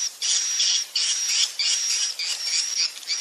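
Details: Lure sound used to get young swiftlets to roost and stay in a swiftlet house: high buzzy bursts about half a second long, repeated with short gaps, each carrying a thin steady whistled tone.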